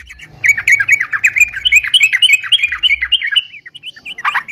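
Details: Chattering song of a sooty-headed bulbul, a gacor recording for luring birds: a continuous stream of short, bubbly slurred notes with a faint low hum behind.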